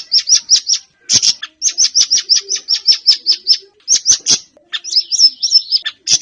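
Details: A Siri-siri bird, offered as a recording to get caged birds singing, gives quick trains of high, sharp chirps, roughly five per second, with short gaps and one warbled twittering phrase near the end.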